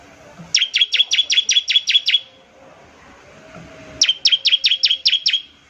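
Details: Two series of around eight rapid, high-pitched, sharp chips from a bar-winged prinia trilling (ngebren) to coax other prinias into singing, separated by a short lull with faint noise.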